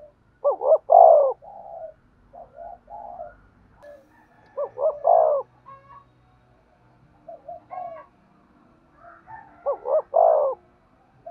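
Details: Spotted dove calls played to train decoy birds: loud double coos with a long tail note, repeated about every four to five seconds, with softer murmuring notes and faint background noise between phrases.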